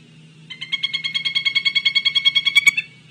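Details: Pileated Woodpecker on a bark butter feeder at 16:14 on 30 May 2024, giving a loud, ringing series of about twenty quick, even wuk notes over two seconds, over a faint low hum.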